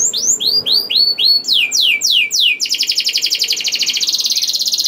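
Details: Canary singing to stir other canaries into song: a series of whistled upslurs, then downward-sweeping buzzy notes, ending in a rapid, even trill that runs to the end.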